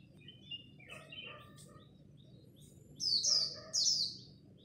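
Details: Japanese white-eye singing the khuyên líu style in competition at dawn, meant to spur newly caught birds into song: two loud, very high, rapid falling bursts near the end, after softer scattered chirps and a low background hum.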